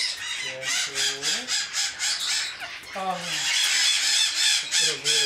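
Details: Captive-bred juvenile Congo African grey parrots (Psittacus e. erithacus) from the 2009–2010 breeding season give harsh, raspy squawks, about three a second in steady bursts, while a person talks softly nearby.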